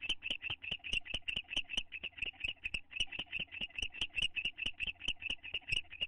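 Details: Owls bonding as a pair in their nest box, May 9, 2011: crisp, high repeated chirps at a quick, fairly even rhythm, some notes louder than others, over a low hum.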